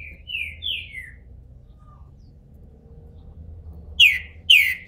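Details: Captive-bred bald green-winged saltator coming out of moult in Brazil: a few soft slurred whistles, then a long pause, then two loud, clear whistled notes that fall in pitch.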